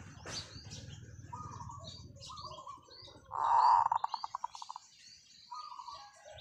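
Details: Caged decoy zebra dove's long call: softer rolling notes lead into a loud vibrant coo that dissolves into rapid staccato pulses, then quieter coos resume, amid steady high twittering of other birds and low rumble early on.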